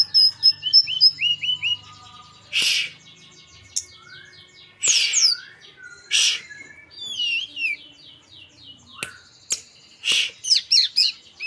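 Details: Blood-breasted flowerpecker, a young local bird from Merapi learning its song, repeats bursts of high, thin, downslurred chirps and short trills, broken by several loud rustling flutters.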